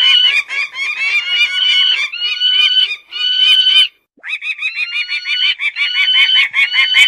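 Peregrine Falcon giving harsh, nasal calls in fast bursts of repeated notes, several per second, with a brief pause midway.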